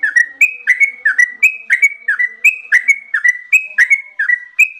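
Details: Yellow-vented bulbul (trucukan) singing in the gacor style with long, continuous ropel phrases without pause: a rapid, unbroken string of short liquid notes, each sliding into a brighter whistled tone, about four per second.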